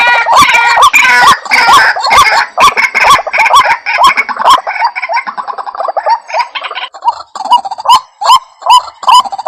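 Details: Lure recording of White-breasted waterhen calls for attracting the bird: rapid repeated rising croaks, about two per second, busy and overlapping at first, then thinning into clearer separate notes.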